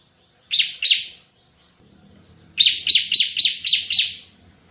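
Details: Bar-winged prinia in energetic 'tembakan' song: two rasping notes, then after a pause a fast series of seven buzzy, downslurred notes, with a faint low rumble in the background.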